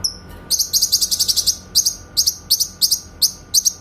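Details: Grey-cheeked bulbul on a clear master recording for tutoring white-rumped shamas, giving crisp, very high chirps and rapid shot-like bursts, mostly doubled notes repeated about once a second after an opening whistle.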